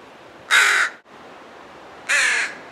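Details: Two loud, raspy caws about a second and a half apart from crows guarding a fledgling, with quiet background between them.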